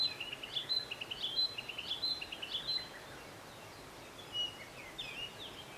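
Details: Narcissus flycatcher at Matsunoyama Onsen, a little distant: a repeated phrase of pure whistles followed by lower chirps, sung four or five times in quick succession. A few faint separate notes come after, over soft background noise.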